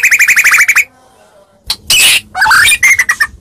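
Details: White-rumped shama from Medan, singing as a fighting lure: a rapid string of ringing whistled notes, a short pause, then harsh scratchy bursts and brief chattering notes.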